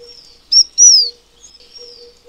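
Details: ["Taiwan fulvetta, a bird endemic to Taiwan's mountains, delivers one loud high phrase: a short clipped note then a sweet whistle gliding down, over a faint steady low hum and soft distant notes."]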